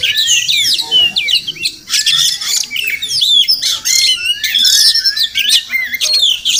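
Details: Wild Oriental magpie-robin near a village home in the morning, probably nesting close by, pours out varied whistled phrases with quick upward and downward slurs, grouped into bursts separated by short gaps.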